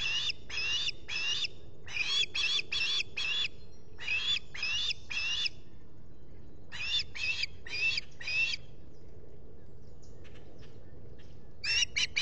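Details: Ospreys at a nest in the Finger Lakes, US, filmed by a solar-powered nest camera on a July 2021 morning while a visitor comes to the nest: bursts of rapid, harsh, whistled chirps, three to five per burst, with short pauses between.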